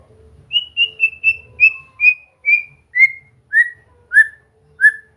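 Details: White-rumped shama, training song to prompt singing: a slow series of about twelve clean whistles, each short and slightly downslurred, the sequence sliding lower in pitch over five seconds.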